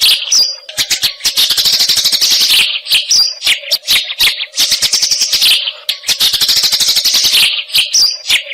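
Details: Eurasian tree sparrow calls used for tutoring magpie-robins and other songbirds: repeated bursts of quick, high, rattling chirps separated by short gaps, over a soft steady hum.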